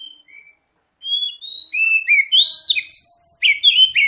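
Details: Oriental magpie-robin song used to coax singing: a few clear whistles, then a continuous rising stream of bright varied whistled phrases and quick trills.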